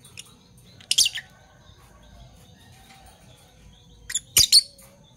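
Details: Fischer's lovebirds, parblue violet and parblue turquoise colour forms, kept birds chirping in the morning; two bursts of shrill, rapid high chirps separated by a quiet gap, with soft low background hum.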